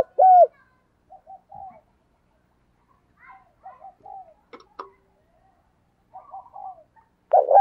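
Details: Decoy spotted dove calling to lure wild doves: one loud, bending coo at the start, then scattered faint soft notes and a click, ending on another loud coo.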